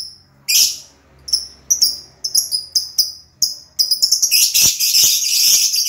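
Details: A lovebird gives separate sharp, high squeaky chirps spaced about half a second apart, then breaks into a fast, continuous buzzy chatter.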